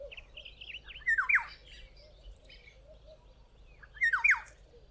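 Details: Black-headed oriole calling from a tree in a garden in South Africa: two loud, liquid slurred phrases about three seconds apart, with softer warbled notes and a low background hum between them.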